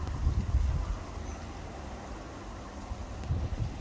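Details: Gusty wind buffets the microphone with low rumbling bursts, and no animal voice comes through.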